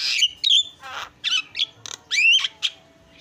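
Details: A Javan myna, a very noisy bird, gives a varied burst of harsh squawks mixed with bright rising whistles and short chattering notes, about eight phrases in three seconds.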